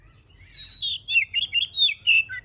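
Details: Singing oriental magpie-robin, its song meant to stir other birds to sing, delivering a continuous stream of warbled whistles and chirps that rise and fall, with about six evenly spaced phrases.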